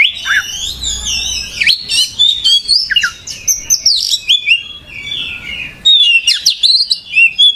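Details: Oriental magpie-robin (kacer) in full 'gacor' song: a rich run of high, varied whistles with sharp rising and falling sweeps and short chirps, near-continuous for most of the stretch, with one brief pause in the middle.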